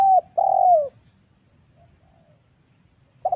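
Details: Wild spotted dove in a lure recording for trapping: a short coo and a long drawn-out descending coo, then near silence before another phrase begins at the end.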